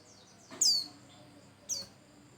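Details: Pleci Bustomi white-eye, a lure recording to prompt other birds to sing: two brief, very high, thin downslurred chirps about a second apart over a quiet hiss.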